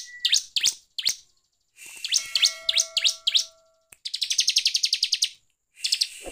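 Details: Bar-winged prinia singing ngeplong style as a provoking lure: clusters of sharp high chips, a stretch of overlapping steady whistles, then a long fast rattling run of evenly spaced notes.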